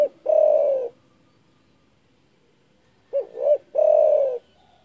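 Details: A spotted dove calls loudly to stir up rivals: a long drawn coo at the start, a pause of about two seconds, then a phrase of two quick short coos and a long sustained coo.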